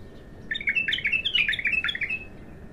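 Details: First song of a raw bulbul: a dense, quickly repeated phrase of sweet whistled and chattering notes, warbling up and down for about two seconds with faint low noise behind.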